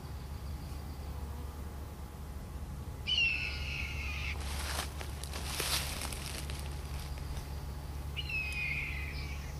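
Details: Red-tailed hawks, a pair and their young, four birds circling above an owl nesting ground. Two hoarse, descending screams, each about a second long, separated by several seconds, over a steady low hum and a brief rustle.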